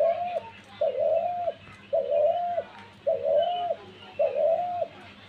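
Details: Repeated dove coos: five even, sustained mid-pitched notes that dip slightly at each end, spaced about a second apart, with a soft steady hum behind.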